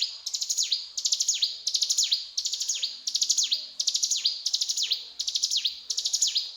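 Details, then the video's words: Regular, metronomic song of a mountain tailorbird in 'gacor cetrakan' style, around nine bursts of high rattling ticks each ending in a descending slur, evenly repeated. "Burung Ciblek Gunung Gacor Cetrakan"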